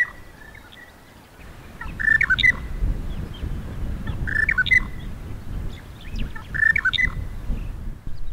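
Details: A Monotonous Lark sings from a bush in Namibia after sunrise in a wet breeding year, a short, fluty, slightly buzzy phrase repeated about every two and a half seconds over a low rumble of wind.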